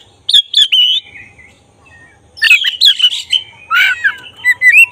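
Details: Black-breasted oriental magpie-robin in full, lively song, used as a lure to provoke emotion and tail opening; clear whistled notes, then a burst of harsh, buzzy notes mixed with sliding whistles after a short pause.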